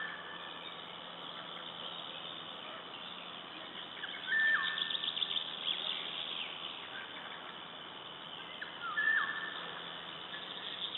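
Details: Eurasian golden oriole singing in Latvia on 16 May 2012: two short fluted whistled phrases, each holding a steady pitch then dipping, about four and a half seconds apart, over a constant chatter of other birds.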